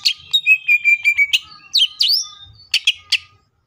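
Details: Cucak ijo, or greater green leafbird, singing in the rapid-fire tembakan style: a run of high sharp chirps, then a bright sweeping whistle and a few clipped notes spaced about a quarter second apart.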